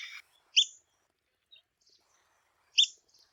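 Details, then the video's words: Two loud, sharp squeaky calls from a red-cockaded woodpecker about two seconds apart, with a few faint notes between them and near silence otherwise. "Red-cockaded Woodpecker Call"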